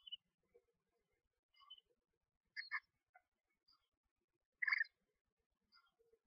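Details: Two screech owl owlets only 1-2 days old, in a nest box being fed by their mother, give soft, scattered chirps and brief raspy bursts, about five in six seconds, with quiet pauses between.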